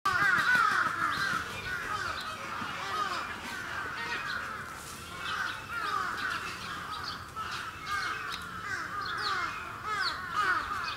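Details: Captive Sarus cranes at a safari park bird area in Gunma, Japan, recorded 10 November 2018, giving a dense, continuous chorus of loud, arching trumpeted notes that overlap throughout, with a steady outdoor background.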